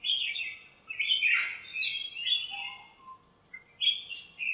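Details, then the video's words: Backyard birds chirping in a lemon tree on a sunny morning; a few buzzy, wavering chirps with gaps, then short sharp notes near the end. "chirps at morning | backyard bird sounds"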